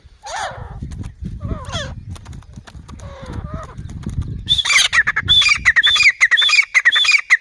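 Grey francolin: shrill, whistled two-part notes repeated almost twice a second, preceded by rough, nasal, voice-like sounds.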